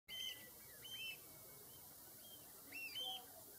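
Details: Common redshank calling, clear high ringing two-part notes repeated in bursts near the start and again after two and a half seconds, over a steady high background hiss.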